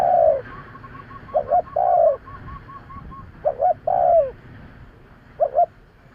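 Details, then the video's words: Spotted dove call used to lure birds: soft low phrases, each two short hoots followed by a longer falling coo, repeated about every two seconds, with a faint rapid series of higher beaded notes behind. "Tiếng chim cu gáy kèm kích bổi nhanh nổi - Suara yang menarik suara Tekukur Enak Didengar Buat Pikat"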